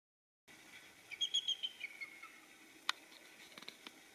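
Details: Bald eagles calling in the background while another sits in bright sunlight: a quick series of thin, high piping notes sliding downward over about a second, followed by a few sharp clicks.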